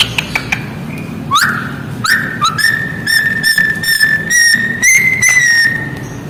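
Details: An Australian magpie, described as calling chickens, gives clear whistles: quick rising sweeps, then a long, steady, slightly wavering whistled note, with sharp clicks and a low background hum throughout.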